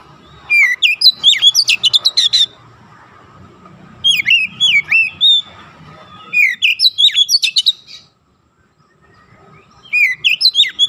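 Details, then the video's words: Kacer training-therapy song for an untrained young oriental magpie-robin, aiming for rapid, tightly packed 'nembak' phrases: four vigorous bursts of high, swooping and stuttering whistles roughly every two to three seconds. "TERAPI KACER BAHAN CEPAT NEMBAK RAPAT"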